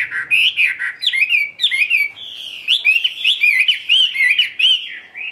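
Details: Midday solo song of a tame Chinese hwamei kept in a cage: continuous, powerful whistled warbling with swooping, slurred notes and rapid varied phrases throughout.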